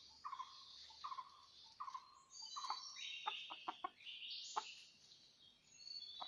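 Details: Red junglefowl recorded while being trapped in rocky mountains on 17 March 2019: faint low clucks repeated about every 0.8 seconds, then a run of sharp clicks and thin high chirps and whistles.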